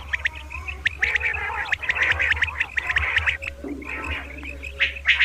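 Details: Batair, the common quail, giving its double 'kirk karkar' morning call: dense, gargling, rasping bursts of quick notes that fade into softer, lower chatter, then resume sharply at the end, over a low hum.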